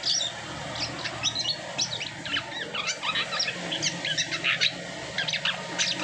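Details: Asian pied starling, freshly moulted, singing a rapid string of sharp high chirps and short slurred whistles, fairly evenly spaced, against a constant low hum.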